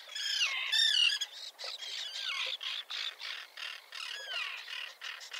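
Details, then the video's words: A small common tern (Sterna hirundo) colony with chicks, on a concrete block near a sea mole 1.5 km from the shore at Liepāja, Latvia, in June 2024, gives overlapping harsh, grating calls and squawks in rapid, high-pitched bursts. "UPES ZĪRIŅŠ /Sterna hirundo/. Upes zīriņu kolonija ar mazuļiem."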